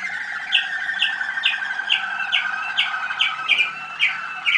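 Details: Young Waterslager (Malinois) canaries hatched in 2010, heard at a listening session on 25 November 2010; a sustained rolling water-like trill punctuated by bright, sharp notes about every half second.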